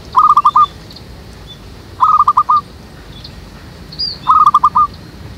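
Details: A zebra dove being lured to a trap in a jackfruit tree behind a house gives soft, staccato trilled coos, five quick notes per phrase, repeated about every two seconds, with faint background hiss.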